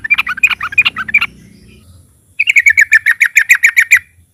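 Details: Trucukan (sooty-headed bulbul) lure song, loud and lively: jumbled warbling notes, then a gap, then a steady series of about a dozen clear, ringing chirps in quick succession.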